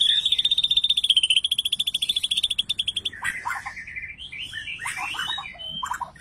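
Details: Raging white-rumped shama meant to provoke other shamas to sing: a loud, steady high buzzy trill for three seconds, followed by varied jumbled warbling phrases, some rising and some falling, fairly clean background.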